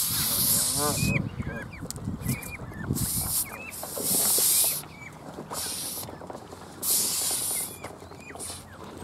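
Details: Canada goose giving several harsh, airy hisses, four main bursts spread across nine seconds. A few low grunting and rustling sounds come early on, and small birds chirp in the background.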